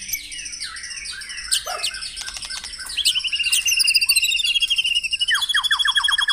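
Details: White-rumped shama morning song meant to get caged birds singing: a jumble of chirps and whistles builds into a fast, even run of sharp repeated notes, about three per second.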